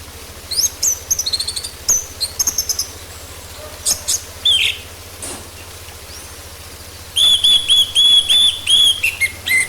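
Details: Lure recording of orange-headed thrush song to make a bird sing, with scattered high chips and trills, then a steady series of about ten clear whistled notes repeated quickly, over a faint low hum.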